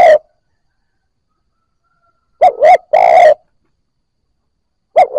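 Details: Spotted Dove, newly caught, cooing to stimulate other new birds. A low phrase of two short hollow coos runs into a longer rolling note, framed by the end of one phrase and the start of another.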